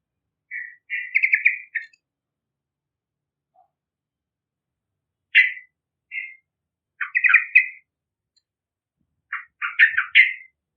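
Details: Yellow-vented bulbul singing energetically as a lure for other birds: short bursts of bubbly, gurgling notes separated by pauses of one to three seconds, each burst a quick run of chattering syllables.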